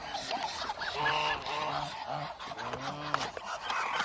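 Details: Around 1000 hungry Muscovy ducks: a continuous din of overlapping, slightly wavering honks, several drawn out for half a second or more.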